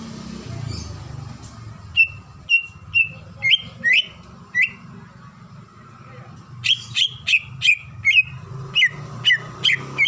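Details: Female greater green leafbird in breeding condition calling the male: sharp whistled notes near a steady pitch, given singly about every half second, then a faster, brighter burst of downslurred whistles after a short pause.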